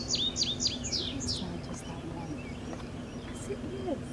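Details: Indigo bunting song recorded on June 17, 2017, at the Julien Dubuque monument, Dubuque, Iowa. It opens with three or four clear, high, falling notes in quick succession, then trails off into quieter background sound.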